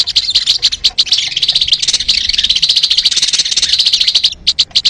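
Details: Crimson sunbird (sogon) lure recording: a long, unbroken rush of high, thin, twittering notes, slightly wavering in pitch, ending in a few separate sharp chips.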